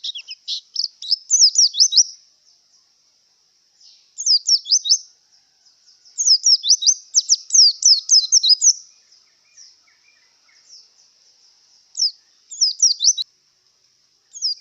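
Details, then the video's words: Javan white-eye in breeding condition singing: bursts of thin, high, rapid twittering notes sliding up and down, delivered in phrases of one to two seconds separated by short pauses, over a faint steady high hiss. "Suara Burung Pleci Yang Sedang Birahi"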